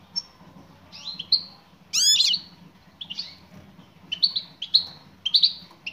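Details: Female European goldfinch calling to a male: short rising chirps near the upper register, a loud burst of steep frequency sweeps midway, then more paired tweets spaced through the rest.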